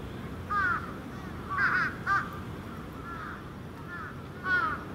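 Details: At dusk on Venus Terrace, crows of different ages assemble at a roost; hoarse, arched caws come singly and in quick pairs, about six in five seconds, over a low constant hum.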